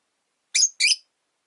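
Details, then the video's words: Caged rosy-faced lovebirds, three now sharing one cage by a window, where the original blue-and-white, white-faced bird dislikes a yellow-faced newcomer; two harsh, high, buzzy chirps in quick succession against a quiet background. "Lovebird Chirping Sounds"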